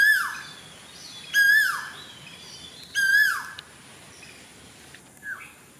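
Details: Cuckoo singing in Sri Lanka in June 2024: loud, clear calls, each a short level whistle that drops sharply in a downward slur, repeated about every one and a half seconds, with a fainter final call over a steady hum.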